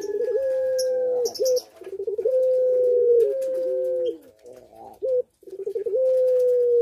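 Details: Barbary dove of the puter pelung type, captive and in breeding condition, Sukorejo, Situbondo: sustained, steady coos broken by short bubbling notes, several phrases in close succession.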